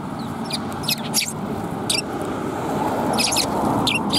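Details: Sparrows, one of them tailless, recorded 17 January 2022 on an outbound walk: short bright chirps in small clusters, several bursts over four seconds, above a steady low rumbling background hum.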